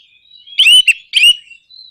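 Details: Caged orange-headed thrush, played to provoke other birds into singing: two short loud bursts of slurred whistles and buzzy notes, with a faint thin whistle before and after.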